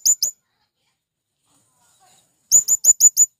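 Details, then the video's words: Male blue-crowned hanging parrot calling to companions, a call used to lure wild birds: a pair of very high, thin, sharp notes, a pause, then a quick run of five similar shrill chips. "Burung Serindit Jantan Memanggil Kawan"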